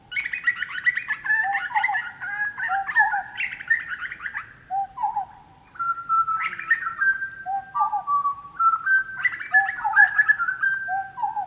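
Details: Fluty, melodic Grey Butcherbird song in the Australian bush: varied whistled phrases mixing rich rising and falling notes with lower mellow tones, delivered in bursts with short pauses between.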